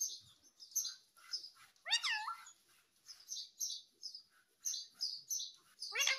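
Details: Talking parrot said to say "mummy papa": thin high chirps and squeaks repeat throughout, broken by two louder, strained harmonic phrases that sweep up and down, one near the middle and one at the end. No other sounds stand out.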